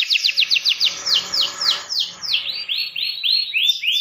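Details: Domestic canary song meant to coax young canaries into singing: a run of rapid descending whistled notes, slowing to broader arching slurs near the end, with slight background hiss.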